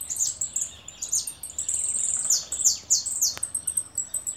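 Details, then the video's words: Caller goldfinch twittering continuously with quick, sharp, high chirps and descending slurred notes, several a second, with one brief click partway through. "jilguero llamador"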